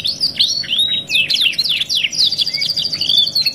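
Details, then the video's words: Luxury canary 'masteran' song, 2 in 1, kept as a training recording for other canaries: bright swooping notes and sharp descending slurs, then a long thin high trill, all loud and continuous over a faint electrical hum. "TERAPI MASTERAN KENARI MEWAH 2 IN 1 | CANARY SINGING"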